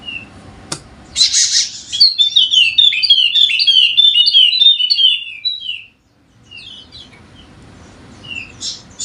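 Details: Energetic Wallacean white-eye song from Sumbawa, a fast string of high chirping, warbling notes lasting several seconds, preceded by a rough noisy burst and followed by sparse soft chirps; used as a lure to get reluctant birds singing.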